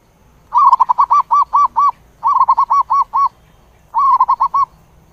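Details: Zebra dove calling the flock, giving three bursts of rapid, staccato cooing notes, each burst starting in a quick trill and slowing into separate arched coos, over a quiet background.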